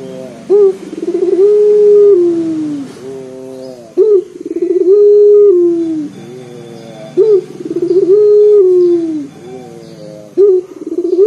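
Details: Loud, deep-voiced local collared dove singing to draw other birds into song. Regular cycles of a quick jerky roll into a long steady low coo that droops, roughly every three seconds, over a faint low hum.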